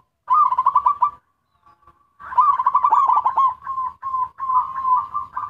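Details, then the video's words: A local zebra dove sings as a lure for other zebra doves. A rapid bubbling cooing phrase is followed by a short gap, then a long run of rolling, slightly wavering trilled coos at a steady pitch. "Suara perkutut lokal gacor || ampuh memancing perkutut lain"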